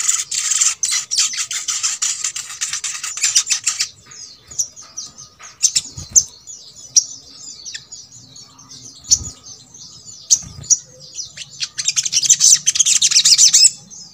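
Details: Brown-throated sunbird song, played as a lure to get lazy birds of its kind singing: rapid high, thin twittering chirps in dense bursts, with a hissing broadband noise and scattered clicks before and after.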